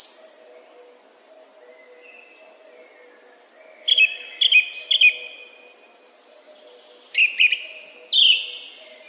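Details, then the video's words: Song thrush repeating a short clipped phrase three times, then a rapid doubled note and a high sliding whistle, over a steady low hum; the pattern of repeating each motif is clear. "Śpiewak (Turdus philomelos / song thrush)"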